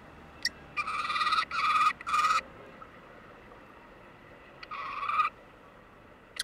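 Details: A common kestrel of a breeding pair nesting in a flowerpot on a Seoul apartment balcony, during incubation, gives harsh, buzzy trilled calls in four half-second bursts, three close together, then one more after a pause.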